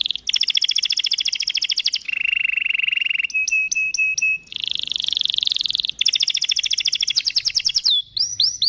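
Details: Canary in long continuous song: rapid high trills, buzzy rolled passages, a steady lower rattle, crisp repeated chips and quick upswept whistles, each section lasting one to two seconds.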